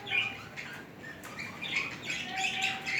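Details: A pair of budgies mating and courting. Soft, scattered, high chirps and short buzzy notes come in loose bursts, with faint hum in the background.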